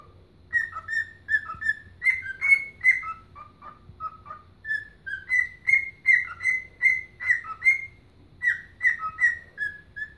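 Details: Pet bird, a dancing whistler, whistling its rendition of the hockey anthem Chelsea Dagger: clear tonal notes repeated in a bouncy rhythm, mostly level with small dips between phrases, a brief pause, then the phrase resumes.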